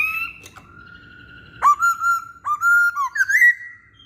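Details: Chatty masked laughingthrush song, used to attract other birds: a long steady whistle, then loud bright notes with abrupt upswept attacks, a dipping slur and a final rising whistle.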